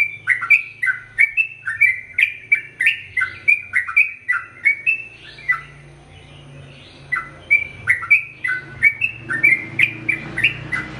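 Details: Sooty-headed bulbul in full, long-phrased song meant for tutoring male and female birds: dense bursts of bright chirruping notes, a short pause near the middle, then the rapid liquid phrases resume over a low mechanical hum.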